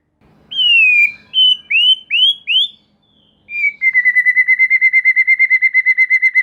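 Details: White-rumped shama lure song for provoking other shamas: five clear downslurred whistles, then a fast, even rattling trill of many identical notes.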